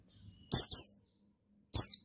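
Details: Sharp, high, descending double note from a male buxtoni white-eye used as a provoking call, followed after a pause by another loud falling note.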